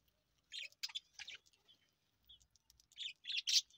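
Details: Young budgerigars, hungry, calling with clusters of high, scratchy chirps: a burst of three rasping notes, a quiet gap, then a louder run of four harsh chirps toward the end.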